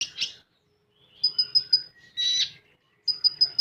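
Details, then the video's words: Common iora singing in the full tembakan style: a buzzy burst, then a row of four sharp high whistled notes, another harsh rasping burst, and more quick high whistles, with short silent gaps between phrases. "Burung Konin Full Tembakan"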